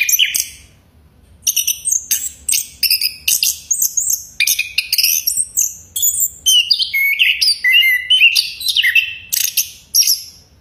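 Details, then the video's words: Chestnut-capped thrush (Geokichla interpres), a Southeast Asian forest species, whistling loudly: a dense run of varied high phrases with sharp slurred whistles, rapid chips and downward sweeps, barely pausing after an opening note. "anis kembang bersiul keras"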